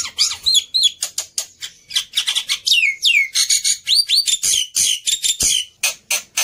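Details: Agitated black-winged myna, a fighter bird used as a tutor for mute mynas, gives a rapid stream of harsh rasping notes mixed with loud whistles that slide down and up, unbroken for several seconds.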